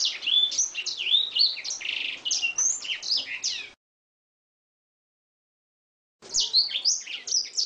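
An Oriental magpie-robin pours out a fast, varied stream of high whistles, chirps and trills, broken by a few seconds of silence before the song resumes.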